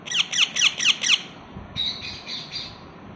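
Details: Young parrots give a rapid series of five sharp, high, downward-sweeping chirps, about two a second, then a run of fainter, steadier peeping notes.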